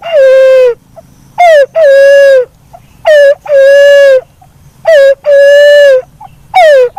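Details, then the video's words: Black-naped fruit dove, described as very melodious, repeating its two-part phrase about every 1.5 seconds: a quick falling note, then a drawn-out steady hoot. Four phrases are heard over a faint low hum. "SUARA BURUNG PUNAI WALIK HAJI‼️WALIK KEMBANG"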